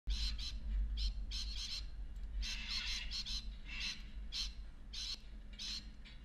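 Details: A cockatoo showing off by lifting its wings gives harsh, raspy screeches in quick bursts, about ten in six seconds, over a steady low indoor hum.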